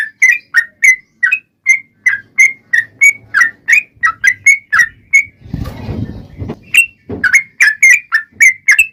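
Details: Yellow-vented bulbul giving a long 'ropel' song as a lure to make other bulbuls sing: spaced liquid chirps, interrupted midway by a burst of rustling handling noise, then resumed.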